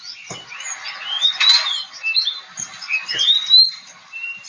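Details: Oriental magpie-robin (kacer) from Kebumen, Central Java, giving scattered whistled notes and rising slurs with a few buzzy bursts, irregularly spaced, over a busy background of faint chirps.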